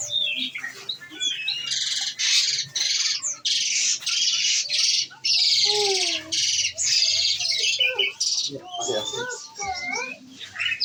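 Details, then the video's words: Olive-backed sunbird in captivity, fed nectar, singing in the fast 'nembak' shooting style: loud harsh bursts of high buzzy notes repeated in quick runs, interspersed with thin whistled slurs and a few lower descending notes. "Enaknya ngerawat konin !!! tinggal dikasih makan !!! bunyi nembak nembak deh"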